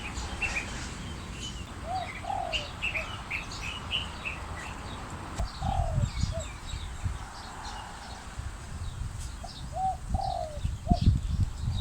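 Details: Wild spotted dove calling together with an Asian koel: mellow, falling two- and three-note coos repeated at intervals, mixed with frequent higher chirping notes from other birds and bursts of low rumbling noise.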